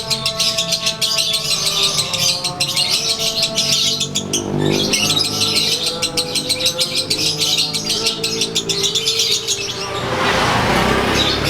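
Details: Lovebird of the Konslet type, kept and set out in the sun, performing its daily ngekek song: fast, dense high chattering pulses, about three per second, over a steady low hum, then a burst of broad hiss near the end.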